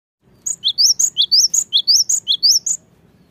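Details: Cinereous tit song used as a lure to provoke lazy birds into singing: a rapid string of high, sharp rising notes alternating between two pitches, about a dozen in just over two seconds, with faint low hum beneath.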